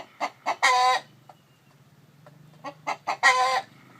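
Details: Chicken, described as a rooster with a hen sitting on eggs. Two bursts, each of a few short clucks building into a loud, harsh, drawn-out squawk, with a quiet pause in between.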